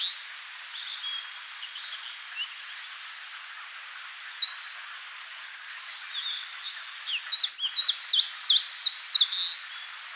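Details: Wild Eastern crowned warbler in Tainai, Japan, delivering its "chiyo chiyo bii" song: a lone buzzy note, then a short phrase, then a fast series of sharp high sweeping notes closing in a drawn-out buzzy slur, over soft background hiss.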